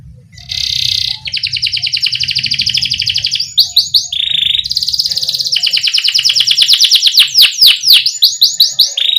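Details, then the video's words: Lively canary rolling song to encourage young canaries to sing: a buzzy opening, long even trills, brief pauses, then fast descending sweep notes. "Criit CUIT Cuit Kenari GACOR Ngerol Jeda Buat PANCINGAN Kenari PAUD Supaya Cepat BUNYI GACOR"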